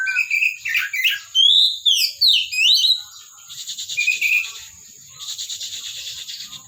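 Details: Oriental magpie-robin from a kept collection, singing a jumble of fast scratchy notes and looping swept whistles for three seconds, followed by softer notes under hissing background noise.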